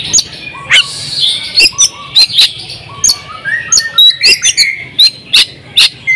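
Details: Champion oriental magpie-robin, 'buka paruh' full 'isian' singing: sparse sharp high clicks and chips at irregular intervals, with soft whistled notes and a hissy background between them.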